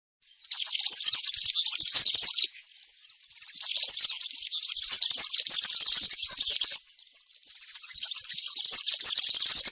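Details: Cante campero from a European serin in woodland: after a short silence, long bright strings of high, metallic, buzzy chirps pour out, pausing briefly twice.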